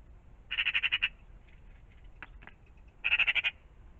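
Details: Two loud rattling chatters from a magpie at a pond in the morning, each a rapid run of seven or eight harsh notes, separated by about two seconds of soft clicks and taps.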